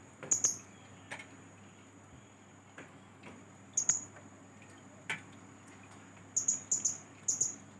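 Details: Young Blue-crowned Hanging Parrot starting to learn lure sounds. Thin, very high chirps come in short bursts: single notes early on, then a quick cluster of four near the end, over a faint steady low hum.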